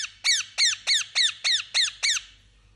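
A parakeet gives eight sharp, high chirps, each a quick downward-sweeping squeak, repeated about three times a second before falling silent.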